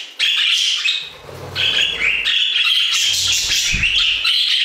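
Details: Aviary budgies in chorus, a steady stream of chattering warble mixing raspy buzzes, rising whistles and quick chirps with hardly a break, plus faint low rumbling.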